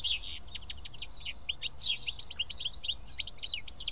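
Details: Several house sparrows eating together at Karyotissa, Greece, keep up a rapid stream of short bright chirps, tumbling over one another in a lively chorus with faint low background noise.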